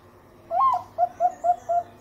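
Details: Bangkok-type zebra dove singing a sweet lure song to draw other doves into song: one rising, wavering opening coo followed by four short clipped coos in even rhythm, ending abruptly, faint hum beneath.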